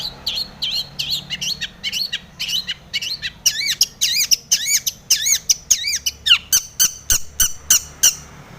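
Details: Long-tailed shrike singing, with tomiceng fill-in, to stir other shrikes into song; long series of loud, sharply looping up-and-down whistled notes, repeated almost twice a second and growing higher and harsher toward the end.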